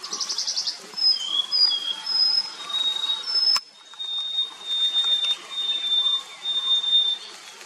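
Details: Nilgiri blue robin (white-bellied shortwing) at Kotagiri, Tamil Nadu, India, February 2023: a string of short, very high whistled notes, then a long, steady, thin whistle held for several seconds, with faint background chatter.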